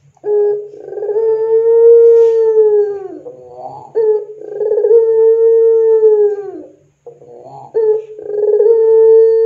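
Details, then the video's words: Barbary dove of the long-voiced pelung style, recorded as a lure to train other doves: drawn-out steady coos of about two to three seconds, each ending in a falling note and separated by short rolling, trilled notes. "SUARA PANCINGAN PUTER PELUNG GACOR COCOK UNTUK MASTERAN PUTER PELUNG apapun"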